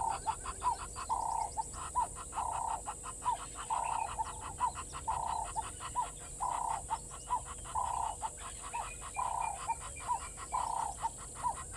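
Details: Water thick-knee at Gowrie dam waterhole, Djuma Game Reserve, Sabi Sand, South Africa, 07:11 on 16 November 2021, with a grey heron present, giving plaintive, mid-pitched whistled notes about once a second, each ending in a slight upturn, over steady fast clicking.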